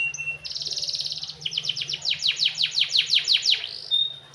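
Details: Canary (kenari) song with a soft, lilting cengkok style: a dense high trill, then a run of about a dozen rapid downward-sweeping whistled notes repeated quickly, ending in a short high note; low steady hum underneath.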